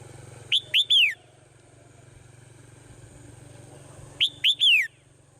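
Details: Swallow singing in the morning: two short rising whistled notes and a longer slurred note falling from high to lower pitch, the three-note phrase given twice about four seconds apart over a low steady hum.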